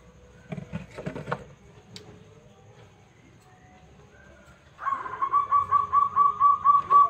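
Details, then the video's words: Local zebra dove with a big voice, singing actively and used as a lure to draw other birds to answer. Faint clicks and rustling come first, then a loud run of about eight quick, even cooing notes in steady rhythm. "Perkutut Lokal Gacor Suara Besar - AMPUH Buat Pancingan"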